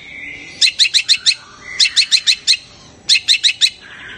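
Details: Long-tailed shrike calling, a call said to excite other shrikes and set them singing; three loud bursts of about five harsh, scratchy high notes each, separated by roughly a second of quiet.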